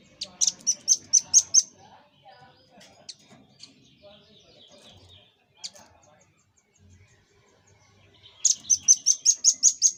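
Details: Red-billed scimitar babbler used as master-song for cage birds: a rapid run of high, clipped notes, then a quieter middle with scattered chirps and faint sounds, ending in another fast series of about eight high repeated notes.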